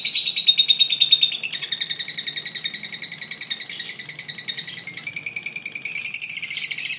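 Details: Fighter lovebird delivering a long ngekek laughing call used as a lure for baby lovebirds: harsh rapid high chatter, pitch shifting down then up, pulsing steadily throughout.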